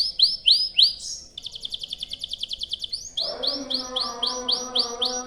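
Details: Canary in long, lively rolling song used as a lure to set other canaries singing: repeated bright swept whistles, a fast buzzy trill in the middle, then more evenly spaced swooping notes, over a low steady hum.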